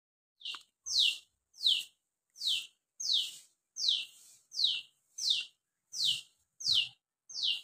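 A sword-billed hummingbird gives sharp, high notes that slide steeply downward, about ten in eight seconds at a fairly steady pace. Nothing else is heard.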